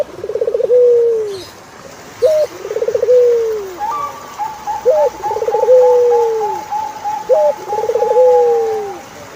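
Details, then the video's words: Turtle dove song given four times: each phrase is a clipped opening note, a fast bubbling roll, and a drawn-out descending coo. Behind it, another bird holds a long, high, steady whistled trill. "Sound of Turtlefove"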